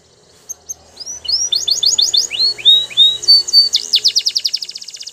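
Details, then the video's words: Belgian canary singing, used for canary training: a run of repeated downslurred whistled notes, about four per second, then a rapid buzzy trill toward the end, with a faint low hum underneath. "Belgian Canary Singing"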